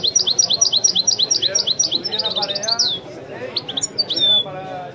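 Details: Caged European goldfinch singing in a recording of a master song bird, a rapid series of bright high chirped notes repeating about twice a second, then a buzzy descending slur and scattered twitters, over a murmur of background chatter.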